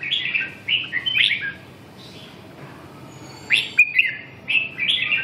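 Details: Red-whiskered bulbul song: quick runs of clear, slurred whistled notes in brief phrases, with a short silent gap midway before the warbling resumes; background otherwise quiet.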